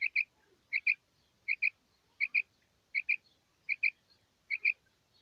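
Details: Female quail calls for luring quail in the morning hunt: a steady series of clipped two-note chirps, each pair repeated about every 0.75 seconds, over soft background noise.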